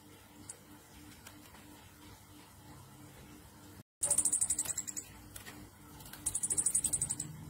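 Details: Orange-headed thrush song in the continuous 'ngecir nratak' style, used as a lure to stimulate other thrushes to sing. After a brief gap, high, thin, rapid pulsed trills come in two bursts of about a second, over a low steady hum.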